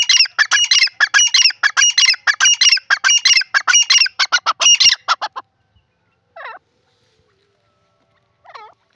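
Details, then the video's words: A francolin (teetar) playing in soil gives a fast run of harsh, grating notes for about five seconds, then two brief, falling squeaky calls after a pause. "teetar ki awaz"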